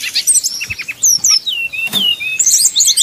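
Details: Srdc bird song meant as a lure to make rival birds sing. Sparse clear whistles: several falling slurs, a long drawn-out descending whistle in the middle, then a burst of bright high chirps.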